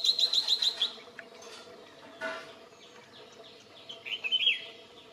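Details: Song of a red-whiskered bulbul (Pycnonotus jocosus): opens with a quick run of repeated high chirps, drops to quieter scattered notes, then ends with a brief burst of warbled whistles.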